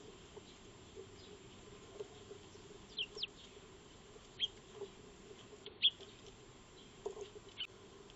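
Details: Eurasian tree sparrows, or Maya birds, feeding in a backyard on 02-03-2025, caught by a solar trail camera; scattered high chirps, singly and in pairs, irregularly spaced, with a faint continuous low hum.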